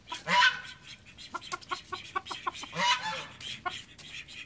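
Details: Call ducks from a home flock of thirteen give a loud harsh quack, then a run of short clipped nasal notes, then another loud drawn-out quack with more clipped calls after it.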